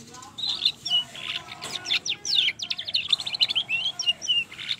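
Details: Mottled (trotol) canary giving a long rolling song used as a lure to stimulate other canaries to sing: a continuous rush of fast, high, sweet trills and chirps, with rapid notes and warbled phrases, over a faint low background hum.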